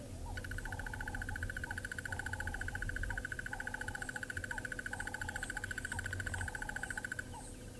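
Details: A male Crested Barbet calling at Buffelshoek Dam on an African safari: a long, even trill of rapid little clicks lasting about seven seconds, over softer repeated whistled notes and a low background rumble.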